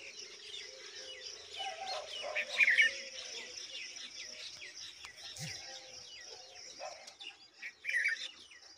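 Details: Red-vented bulbul feeding large mantises to its young, giving quick, busy chirps throughout with two louder bursts of notes, over a steady high hiss of insects.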